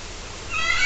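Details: Captive macaw in an aviary at Parque das Aves near Foz do Iguaçu, Paraná, Brazil, rising into one harsh, raspy squawk toward the end after near quiet.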